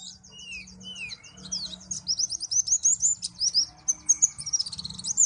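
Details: White-eye (pleci) of the Malang type singing a rapid, continuous stream of high, thin twittering notes and quick up-and-down slurs that grows louder and busier toward the end, with a faint low hum beneath.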